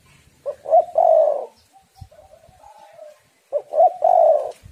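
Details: Female spotted dove calling to lure and stimulate males, giving two low mellow coo phrases, each with short stuttering notes leading into a long rolling coo, separated by soft quieter cooing.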